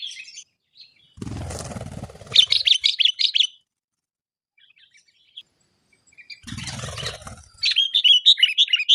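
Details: Sooty-headed bulbul singing in the cengkram style: two bursts of rapid, chattering short notes, each preceded by a loud patch of rustling, scraping noise.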